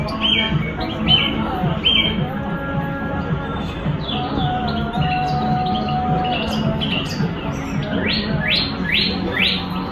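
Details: Song thrush (Turdus philomelos) in Tashkent on 22 February 2022 sings loud, clear phrases, each repeated a few times, ending with a run of rising whistled notes, over a steady low hum of traffic.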